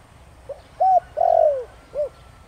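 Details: Spotted dove cooing in the Thổ Đồng voice to lure wild doves. One four-note phrase: quiet pip, steady coo, extended descending coo, short mellow ending, over a faint low hum.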